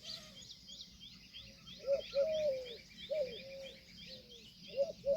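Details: Indian peafowl giving repeated drawn, slightly falling wailing calls, each preceded by a short clipped note, spaced about a second apart, over a busy background of high rhythmic chirps from other birds or insects.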